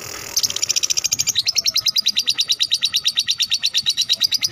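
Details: Lovebird ngekek from a fighter bird, played to lure other lovebirds into singing: a sudden start of evenly spaced, high, sharp chirps, about three per second, steady and loud throughout.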